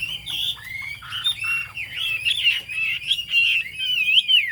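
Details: Chinese hwamei singing 'cao cầu': a dense, unbroken warble of wavering whistles and quick ornamented slurs that grows louder toward the end.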